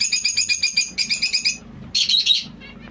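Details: Rapid, evenly spaced nasal beeping notes from a white zebra finch, about eight per second for a second and a half, then a brief harsher buzzy burst, against a faint low hum.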